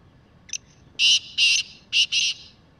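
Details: Wild, free-roaming black francolin calling: a brief soft note, then four loud, harsh, grating bursts in two close pairs, with a quiet background.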